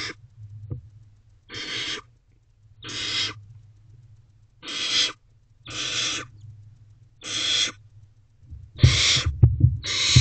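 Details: Barn owl owlets huddled together in a nest box near midnight, producing drawn-out rasping hisses spaced a second or more apart, with quieter gaps, some shuffling and a low background hum.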